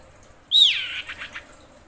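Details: Female common iora in breeding condition calling to a male: one loud, sharp note that drops steeply from high to mid pitch, followed by a few fainter rasping echoes of the note, in a quiet setting.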